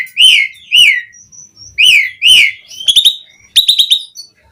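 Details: Song of an Asian pied starling meant to prompt rival starlings into full song: paired arched whistles, a pause, two more, then buzzy trilled notes.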